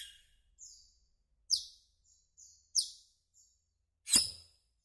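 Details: Asian glossy starling, a greenish black bird, calling with bright, sharp, downslurred chirps mixed with softer short notes. One louder harsh burst comes near the end, in otherwise quiet surroundings.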